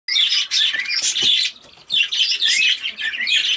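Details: Cobalt recessive pied budgerigar, a blizzard-type pet parakeet, chattering in bursts of busy high warbles, squeaks and clicks, two long phrases split by a short pause.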